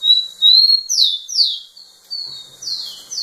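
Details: Rufous-collared sparrow male singing to a female: a long whistled note followed by several slurred descending whistles, loud and clear, repeated in quick succession.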